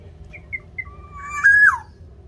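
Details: Local Javanese black-naped oriole in full voice, meant as a lure to get caged orioles singing: three brief high pips lead into a rising fluty whistle that swells loudly and drops off steeply at the end.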